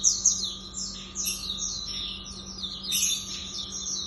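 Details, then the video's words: Continuous high twittering song from a lemon-bellied white-eye (auriventer): quick descending chirps and thin trills, louder at the start and again near the end, with a low background hum. "merdunya tembakan auriventer ini"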